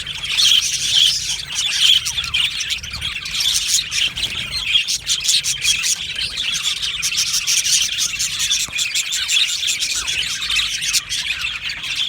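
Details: Colony of budgerigars kept in an aviary, continuous busy twittering from many birds, shrill chirps and rasping warbles layered together, occasional clear whistled notes standing out early on.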